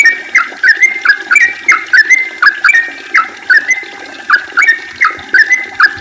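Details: Yellow-vented bulbul in lively, nonstop 'ropel' style song, meant as a lure to get other bulbuls singing: bubbly, liquid two-part notes repeated in quick succession, each a short rising-falling warble, steady throughout with a quiet background.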